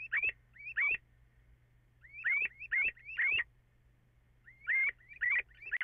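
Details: Little owl on 14 April after 04:56, possibly two birds at once: short, rising whistled kiew notes, single or in pairs, with gaps of silence between them.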